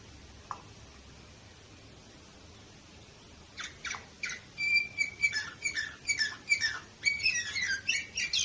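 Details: Singing canary in Varna, Bulgaria, recorded in 2018: near silence with one faint click, then sharp rapid chips build into a whistled note and fast chattering, trilled phrases.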